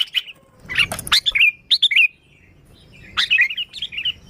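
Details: Sooty-headed bulbul in lively song, unmixed, used for luring bulbuls: a few bright, slurred chirps and warbled phrases, a quiet gap, then another burst of bubbly notes.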